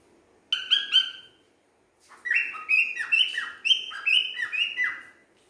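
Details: A male cockatiel sings a series of bright, warbling whistles with sliding notes.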